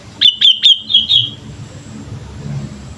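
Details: Lively sooty-headed bulbul, a lure recording: a rapid run of five bright chirped notes in about one second, ending in a short slurred tail, then quiet with low background rumble.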